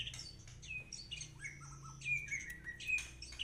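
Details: White-rumped shama singing a varied run of clear whistled notes, some sliding and some sharp, in quick irregular succession, with a steady low hum in the background.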